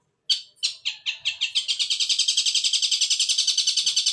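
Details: Long-tailed shrike singing in fighting mode with sparrow-type notes: a few separate scratchy chirps that accelerate into a fast, steady rattling chatter.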